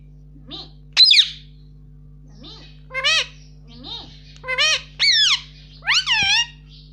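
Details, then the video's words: Indian ringneck parakeet kept as a pet, talking nonstop with "mummy": a rapid run of shrill, nasal, harmonic syllables that bend upward and downward, with a faint constant hum underneath. "cute Indian ringneck parrot talking || no stop mummy bolne vala"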